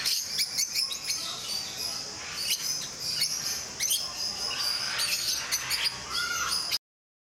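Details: Rosy-faced lovebirds kept at Mysore Zoo chirp and squeal in shrill, overlapping notes, a constant high-pitched chorus that cuts off abruptly near the end.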